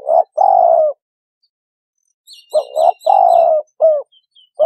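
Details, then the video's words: Spotted dove giving loud, hollow, low coos in short bursts, some doubled, with a brief high twittering from a small bird in the middle. "Cu Gáy Kích Bổi"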